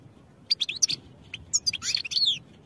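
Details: European goldfinch song for training, a rapid twittering run of high, sharp chirps and short rising and falling notes in two bursts separated by a brief pause, over a quiet low background hum.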